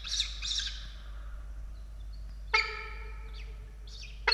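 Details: At a peregrine falcon nest in Australia during the chicks' evening feeding on 16 October 2022. Harsh, high squawks come first, then a loud, strained, harmonic wail and further sharp squawks in bursts.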